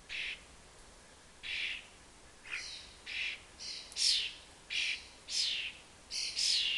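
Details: Young common starlings from a family nesting four floors up beg around a fat ball while following their parents, giving harsh, rasping squawks, about ten noisy bursts in under seven seconds at an uneven pace.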